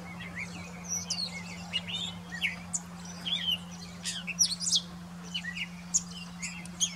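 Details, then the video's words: Grey catbird singing on a branch in Desbarats, Ontario, about 15 m away: a rapid, jumbled run of varied squeaky, chattering and whistled notes without pause, over a low steady mechanical hum. "Catbird Singing"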